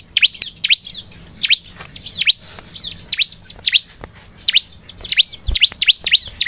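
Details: Bar-winged prinia (ciblek) lure song meant to make other ciblek sing: dense, lively run of sharp, high, down-swept chirps, some doubled, with a brief noisy rustle near the middle and quick trills toward the end.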